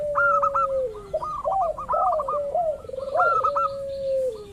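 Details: Local zebra dove calling as a lure to prompt rival doves to answer: rapid stuttering high coos, clipped and repeated, over a long low sliding coo that drops near the end, with overlapping doves calling together.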